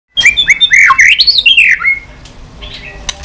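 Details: White-rumped shama, a fighting song with continuous clicking, used to rouse low-spirited birds: a quick run of sharp notes, then a long whistled phrase that rises and falls smoothly. Quieter background follows.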